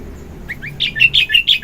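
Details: Morning song of a sooty-headed bulbul: two rising whistles lead into a quick run of four loud, rich burbling notes in steady rhythm, clear and close.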